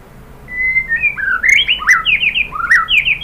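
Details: A white-rumped shama opens with a level whistle, then rising and falling slurred phrases in loose groups, sung as a lure to stimulate other birds to sing.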